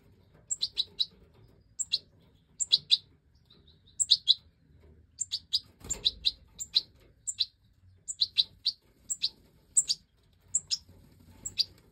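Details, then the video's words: Goldfinch Major fledglings, five chicks out of the nest, begging while the hen feeds them in a 2024 aviary breeding: spaced pairs and triplets of high sharp chirps over a faint low hum, one brief scraping noise. "Breeding Goldfinch Major The Hen diligently feeds the last five Chicks 🐥 that have jumped out of the"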